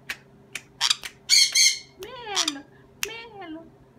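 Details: Pet sun conure indoors letting out a few grating, high-pitched squawks. Someone talks in Dutch nearby.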